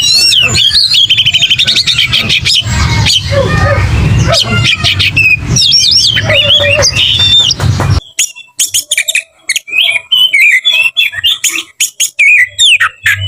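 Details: Aggressive fighting song of an Oriental magpie-robin, full of varied fill-in phrases: dense twisting whistles and chattering notes over heavy low noise, turning cleaner and more broken into sharp chips and short whistles.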